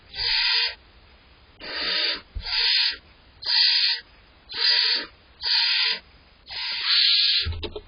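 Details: Barn owl owlets begging in a nest box on July 23rd, the larger one pushing for more prey: seven even, hissing snores roughly one a second, the last one longer and merging into rustling.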